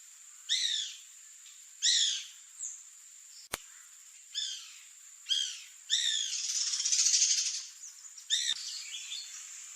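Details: Bananaquit recorded in Bogor: a series of about six sharp, high, descending chipping notes spaced roughly one to one and a half seconds apart, with a single click and steady high hiss behind.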